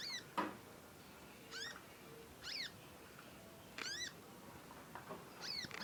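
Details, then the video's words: Young conin songbird, vocal while learning sounds. It gives bright stacked chirps with sharp downward slurs at irregular intervals, with a sharp click near the start and low background hiss. "ANAKAN CONIN, NYECET PANJANG BELAJAR BUNYI & GACOR"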